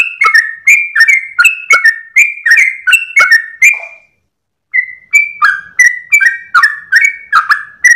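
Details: Sooty-headed bulbul singing at dawn with tail wagging, long 'ropel' song used in bird training: quick whistled high-low phrases, a half-second silence, then the rhythmic couplets start again.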